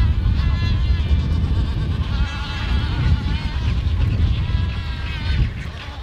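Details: A large colony of black-browed albatrosses on Steeple Jason Island, Falklands, gives overlapping nasal, braying calls with wavering harmonics over a heavy low rumble of wind or surf.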